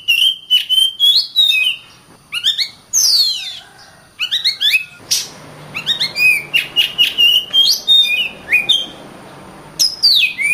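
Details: Kacer, the oriental magpie-robin, in full song with clear whistled notes, steep descending sweeps and quick chirping bursts delivered in rapid succession, with a brief pause midway.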